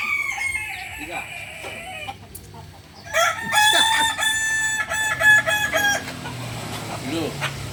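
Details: At a Sunday joint practice of kukuak balenggek chickens in Ampang Kualo, a faint crow is followed by a pause, then a loud, rich crow held in stepped segments for about three seconds amid crowd murmur.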